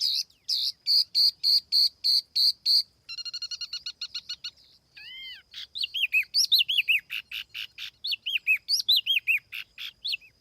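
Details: Laughingthrush known as tiểu mi, lure song without noise: a steady run of loud clipped notes, a quick rattling trill, a few soft ringing arcs, then lively repeated looping whistles.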